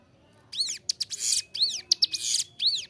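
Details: Short burst of clear, energetic Bar-winged Prinia song for training captive birds: after half a second of quiet, three arched whistles come with harsh buzzy notes between them.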